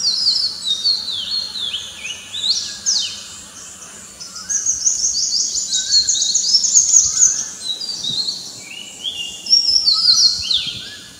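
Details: Morning song of the Oriental magpie-robin (Copsychus saularis) amid a chorus: bright, high whistled phrases, rapid down-slurred notes and trilled runs, almost continuous, with other birds calling softly lower down.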